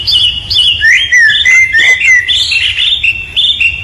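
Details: Bird singing in the wild: a loud, lively warbling run of varied whistled and chirped phrases, some slurred downward and others rising, repeated with little pause and only faint background noise beneath.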